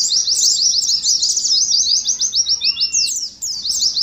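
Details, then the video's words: Oriental white-eyes in a competing 'ngalas' song style, played as therapy for caged birds: rapid, dense chatter of descending high chirps overlapping continuously, with one long flat lower whistle near the end. "TERAPI ADU NGALAS SAAT KOLONI PLECI"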